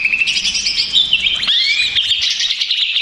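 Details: Greater green leafbird, agitated lure song: a busy tangle of high twitters, then a clear upslurred whistle near the midpoint leading into a fast, continuous chatter.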